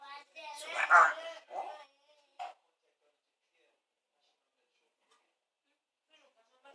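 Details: A parrot said to be uttering "Allah akbar" gives a brief run of nasal, voice-like syllables and one short clipped note, then a long silence.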